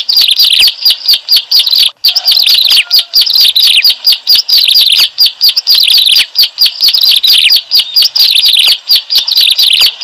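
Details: Bar-winged prinia calls used as a lure for bird trapping. A loud, nonstop stream of sharp, high chirps and buzzy notes packed closely together, with one brief gap near two seconds.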